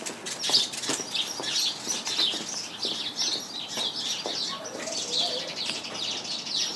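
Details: House sparrows chirping in a bush full of them, a dense overlapping chorus of short high chirps that continues steadily without a break, with several birds calling at once.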